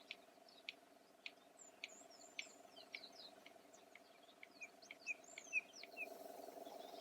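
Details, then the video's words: A red-crested bustard (korhaan) gives a run of sharp, dry clicks, about two a second, quickening toward the end, over a steady insect drone and thin chirps. "The click-sound of a Red-crested Bustard"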